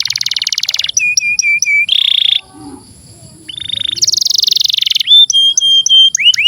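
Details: Canary song for coaxing young canaries and those that stopped singing: rapid rattling trills, level whistled notes and a buzzy block, a short quiet gap, then a dense rattle followed by clear looping whistles.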